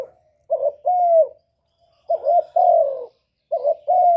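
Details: Spotted dove, a strongly singing master bird of the kuk 1 style, used as a lure for other doves: three cooing phrases, each a short broken note followed by a longer mellow coo that slides slightly downward.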